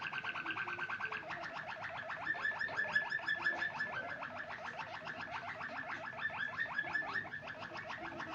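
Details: White Waterslager canary singing steadily, a long, even, rapid bubbling roll of repeated notes about three per second, watery in tone, continuing without pause throughout.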